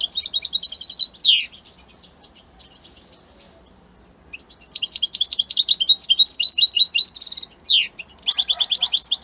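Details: European goldfinch, Italian type, singing a rapid, high, jingling phrase that ends in a downslurred note. After a few seconds of near silence comes a long, lively, twittering passage with trills and slurred notes, ending in another quick burst.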